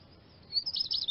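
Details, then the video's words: Eurasian siskin gives a thin, high twittering: a rising wheezy note, then three or four quick bright chirps within half a second. "iskete finch sound"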